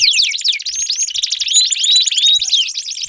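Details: Brief canary song burst for prompting a silent canary to sing: a few sweeping downward whistles followed by pure rising slurred notes over a fast trill.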